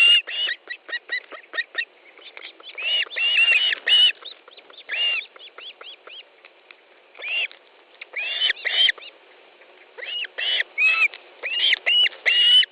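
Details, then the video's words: Nest of Osprey in Estonia, 18 July 2013, fish delivery: rapid ticking clicks followed by clusters of high, arched whistled chirps, loud and excited, coming in uneven bursts. "Osprey nest, Estonia 18th July 2013 10.30 Fish delivery"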